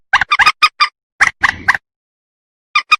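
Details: Rail call used as a lure for trapping and hunting: short harsh clucking bursts in a quick irregular run, a pause of about a second, then two more rasping notes. No other sounds.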